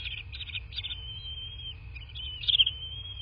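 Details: Bald eagle at a southwest Florida nest, captured by a nest camera late at night on 13 March 2024; quick high chirping bursts give way to a long thin whistle, over a constant high tone and low hum.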